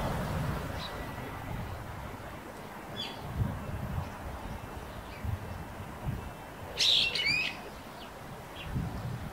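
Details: A Eurasian tree sparrow, one of many around a house roof where they nest, gives a few scattered high chirps, then a brief bright burst of twittering notes, over a low background rumble.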